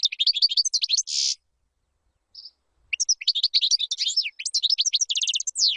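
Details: A European goldfinch sings a fast, tinkling run of high twittering notes and buzzy trills, pausing briefly mid-phrase before resuming; a song meant for teaching goldfinch chicks.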